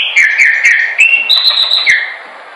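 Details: Training song of a Chopi blackbird. Sustained, clear whistles hold steady, step up to a higher held note, then drop back down.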